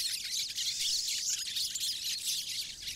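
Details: Pine siskin (Spinus pinus) flock in the boreal forest of Maine: many high, thin twittering chirps overlapping continuously with no clear gaps.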